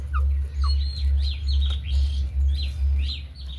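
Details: Pet budgerigars kept together with hens give quick, rising and falling warbled chirps in short bursts over a loud, steady low hum.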